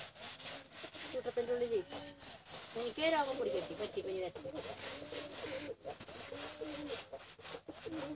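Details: Pigeon chicks crying for food: thin whistled peeps, each sliding up then down, repeated rapidly in irregular runs of several notes, with faint rustling and scraping underneath.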